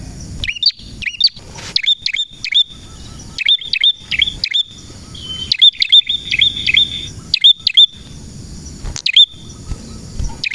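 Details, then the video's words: Vigorous song of a male prenjak merah: rapid series of high, sharp, twisting chirps, some in quick doubled or tripled bursts with short pauses between, over a soft low background rumble. "Prenjak Merah Gacor cocok untuk masteran dan pancingan prenjak bahan ‼️prenjak birds singing ‼️"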